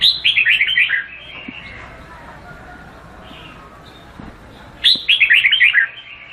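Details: Red-whiskered bulbul singing two bright phrases of rapid descending whistled notes about four seconds apart, clear and loud over a quiet background.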